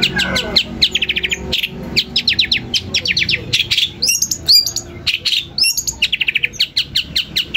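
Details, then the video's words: Long-tailed shrike song meant to make other shrikes agitated and reply: fast runs of short, identical clipped notes repeated in rattling series, broken by a few high upslurred whistles. "Berikan suara cendet ini di jamin cendet lain akan emosi dan ikut nyaut"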